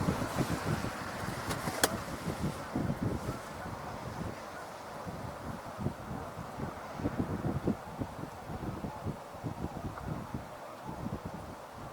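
Steady low rumble of a vehicle interior with wind buffeting and a brief click, no animal voices.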